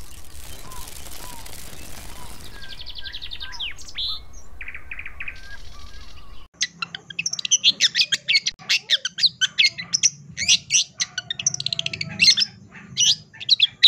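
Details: Long-tailed shrike, once silent, now answering and singing its full mimicked repertoire (isian); noisy hiss and a few thin whistles give way to a loud burst of rapid, harsh chattering notes mixed with squeaky whistles.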